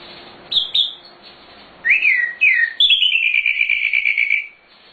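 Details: Sikatan londo, a nightingale, in chatty song with many varied phrases, recorded as master material for songbirds: two short high notes, two looping whistled phrases, then a long sustained series of rapid notes gently falling in pitch.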